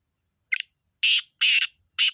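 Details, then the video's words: Black francolin in Sindh, Pakistan, giving a harsh call: a short scratchy opening note, then three loud, rasping broadband bursts spaced roughly half a second apart. "Kala Teeter sindh Pakistan"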